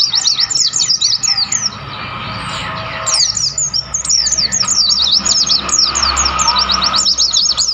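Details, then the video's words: Wild mountain white-eye on Mount Lawu at Tawangmangu. Rapid high chirps and slurred whistles come in two bursts, with a brief quieter gap near two seconds. A faint low rumble runs in the background. "pleci gacor gunung Lawu Tawangmangu"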